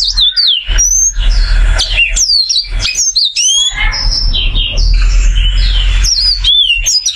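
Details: Oriental white-eye, large golden-green caged bird, pouring out a varied non-stop song of sharp high whistled slurs and chips, briefly blurred by a burst of broad noise midway, with constant low hum.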